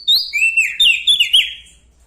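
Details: Bar-winged prinia from Lombok in full, loud song: a burst of piercing, high slurred whistles and buzzy trills, each phrase sharply rising then dropping, packed closely over about one and a half seconds before fading.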